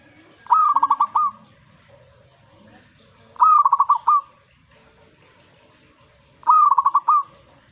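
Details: Zebra dove responding to a master training recording: three cooing phrases, each a short rising note followed by a quick run of stuttered coos, repeated roughly every three seconds over a quiet background.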